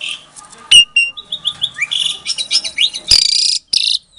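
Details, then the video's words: Asian pied starling bred in captivity in Klaten, Indonesia, sings to goad silent starlings into responding: a loud whistled note, then a quick run of chirps and rising slurs ending in two harsh, buzzy bursts. "Suara Jalak Suren Pancingan, Jalak Macet Pasti Jadi Emosi Langsung Nyaut"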